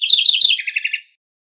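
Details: A fragment of house wren song given while teaching its chicks. It begins mid-phrase with loud, high chattering notes, then drops into five evenly spaced repeated notes before stopping after about one second.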